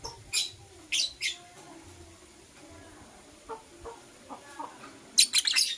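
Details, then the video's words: Morning chirping of lovebirds, blue opaline and euwing opaline: a few shrill high chirps early, softer short notes in the middle, ending in a quick burst of squeaky chirps. "Lovebird Chirping Sounds - Blue Opaline & Euwing Opaline"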